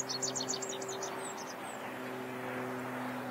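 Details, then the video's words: Rock bunting singing in the Mosel valley, Germany: a quick, thin, high-pitched phrase of about eight buzzy notes, then a few faint high notes, over a steady low engine hum. "Rock Bunting sings. Zippammer singt."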